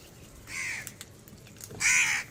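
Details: Crows at a feeding rush give two harsh, hoarse caws about a second apart, each drawn out for roughly half a second, over faint background noise.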